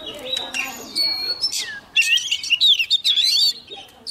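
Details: Young Oriental magpie-robin singing strongly as a wild bird approaches. Wavering whistles and quick looping phrases sound over a murmur of background noise and faint voices.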